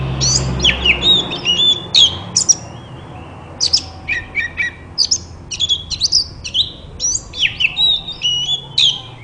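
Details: Rich whistled song of a white-rumped shama, used to coax other shamas into song; rapid chips and fluty slurs in dense bursts, a short lull in the middle.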